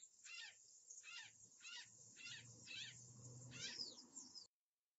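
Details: Series of six coarse, scratchy Azure Jay calls delivered steadily about every 0.6 seconds, recorded by a live camera on 11 July 2013 at 13:56, with a low rumbling background hum beneath.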